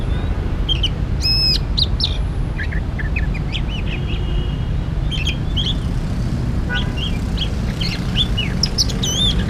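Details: An oriental magpie-robin at a bird-trapping spot gives clear whistles, rising slurs and quick looping notes in loose phrases. A continuous deep rumbling noise runs underneath throughout.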